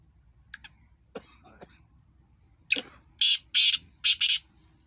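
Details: Two Black francolins calling: after a few faint clicks, a loud harsh grating phrase of about five rasping, broadband bursts, tightly spaced and evenly loud, with a quiet room background.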